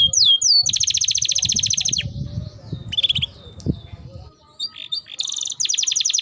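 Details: Canary song as a training recording: quick rising slurs, then a long rapid trill of repeated notes, a short pause with soft notes and rustling, and another fast trill at the end.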